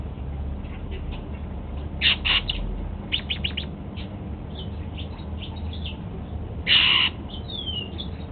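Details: Golden-fronted Leafbird kept as a pet, eating apple at breakfast: a run of soft twittering chirps around one short loud call, then a single strong, harsh call near the end.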